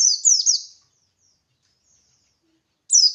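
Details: Buxtoni white-eye singing ngalas style, meant as a lure so other white-eyes join in; a quick string of sharp, high, downslurred whistles, a two-second silence, then another burst of the same notes.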